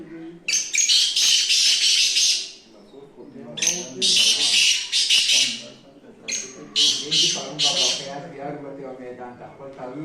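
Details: Black francolin calling close by: loud, rasping multi-syllable phrases, each a tight burst of harsh notes, repeated about every three seconds, with a man speaking between and beneath the calls.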